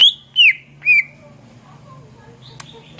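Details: Greater green leafbird singing vigorously, a tutor recording for training cage songbirds: three loud, clear whistled notes, each slurring downward, then near silence with faint later chips and a low background hum.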